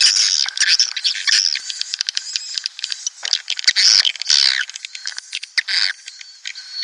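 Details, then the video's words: Swiftlet lure recording from 2019, made to draw breeding flocks and colonies into a swiftlet nesting house: dense, overlapping high chirps and squawks run almost without a break, with brief clicks scattered through the chatter. "SP Walet Klimax 2019||Origional Teruji Tarikannya Dahsyat.."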